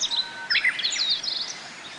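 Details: Several Japanese white-eyes gathered at bottlebrush blossoms to feed on nectar in Kobe Municipal Forest Botanical Garden, Japan, 14 June 2018, during a break in the rainy season. Thin, high chirps and short twittering notes come in quick bursts.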